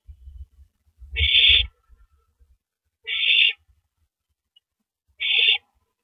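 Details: At 9:14 PM on April 9, 2012, a male owl passes a rabbit to his mate at the nest; low rustling and bumping, then three hoarse, hissy bursts spaced about two seconds apart.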